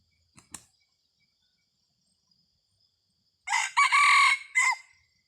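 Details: Decoy red junglefowl giving a chaloei-style crow, 30 October 2023: a few faint clicks, a silent pause, then a loud rasping crow with a long sustained middle section and a clipped closing note.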